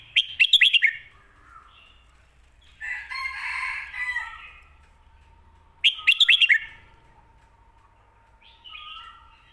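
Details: Red-whiskered bulbul repeating a popular 'pad kuay tiew' or 'mae bot' song phrase: two bursts of rapid, ringing whistled notes about six seconds apart. Between them come a harsh, noisy chattering and a faint steady tone.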